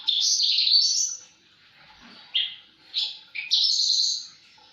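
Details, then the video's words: Javan bush lark in energetic song: a long buzzy high trill, a pause, then a few sharp chirps and another sustained buzzy phrase. "Burung branjangan gacor"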